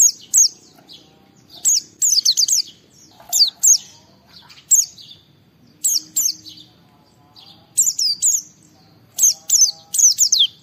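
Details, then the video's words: Oriental white-eye (pleci) singing to challenge and stir other white-eyes: brief bursts of two to four shrill, downward-slurred notes repeated every second or so across the clip, with faint soft notes between. "Suara Burung Pleci Gacor Cari Lawan Bikin Semua Pleci respon gacor buka paruh"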